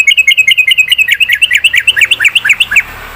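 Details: At dawn, a sooty-headed bulbul out in the morning dew delivers fast ropel song to answer companions: a rapid unbroken run of quick, bright, bouncing chirps, rising and falling, about six per second.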